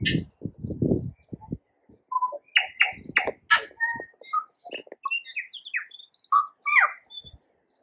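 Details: New Zealand tui in a flowering kōwhai tree, opening with dry clicks and rattles, then a busy run of varied whistles, high tinkling notes and rich melodious phrases that jump between low and very high pitches.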